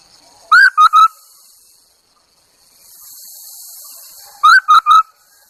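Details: Chinese hwamei used as a decoy sings a sharp three-note whistle, rising then steady, repeated twice roughly four seconds apart, with soft hiss in the gap.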